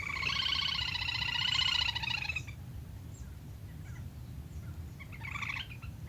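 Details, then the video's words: Lesser whistling duck call used as a hunting lure: a loud, rapid harmonic trill of even pulses lasting over two seconds, then a short, fainter pulsed burst near the end over low background hiss. "Tiếng Chim Le Le Hôi"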